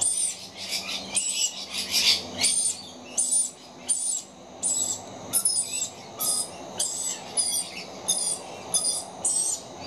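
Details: Two very young rainbow lorikeet chicks begging for food with high-pitched screeching, harsh pulsed screeches repeated about every half second in a steady run, faint low hum beneath.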